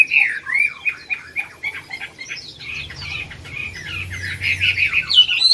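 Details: Chinese hwamei at a Mỹ Đình, Vietnam, singing competition on 19 July 2020: a few looping whistles, then rapid scratchy chattering notes, ending in a loud burst of buzzy, high whistling.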